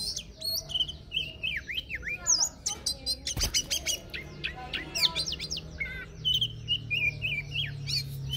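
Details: Oriental magpie-robin with a wild-type "forest voice", recorded in 2023, sings a rich, varied run of clear whistles, slurred notes and quick chirps, one phrase after another, over a faint low hum.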